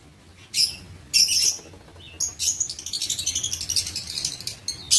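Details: Lovebirds in an aviary, recorded 19 September 2023: short bursts of shrill, high chirping separated by brief pauses, then a denser run of rapid squeaky notes near the end.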